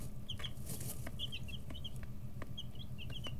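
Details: Chicks 11 to 13 days old in a brooder, busy stretching feathers and pecking, give a steady chorus of short high peeps over a constant low hum, with scattered tapping clicks.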